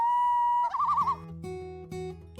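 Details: In Yellowstone's backcountry, a Common Loon's call echoes across the water: a clear, steady held note that breaks into a quick wavering warble, then plucked guitar notes take over.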